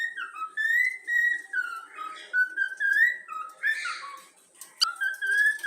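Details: Trained yellow-cheek cockatiel whistles the Flamengo anthem in an almost unbroken melodic line of wavering tones. A short hissy burst falls partway through, and a faint background hum runs throughout.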